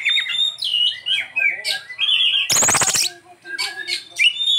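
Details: Oriental magpie-robin (kacer) delivering a luxurious 'isian' song: varied whistled phrases, some rising and some falling, broken by a loud harsh rasping burst midway and short chirps after.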